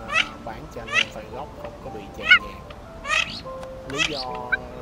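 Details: Calling male and female Mandarin ducks used to lure migrating birds into nets at night, 2023; five loud, upward-sweeping squeaky calls at uneven intervals, with sustained music droning underneath.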